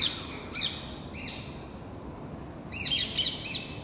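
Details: Rose-ringed Parakeets, a flock of about ten agitated birds chasing a red squirrel through plane trees in the Versailles gardens; scattered harsh squawks early, then a quick cluster of shrill screeches at the end.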